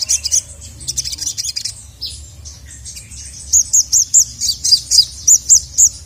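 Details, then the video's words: Sogon in an emotional state calling for a male: scratchy high twitters at first, then a regular run of loud, sharp, high chips at a steady quick pace. "SOGON MANAPUN NGAMUK GACOR LANGSUNG EMOSI dengar masteran burung sogon memanggil jantan ini"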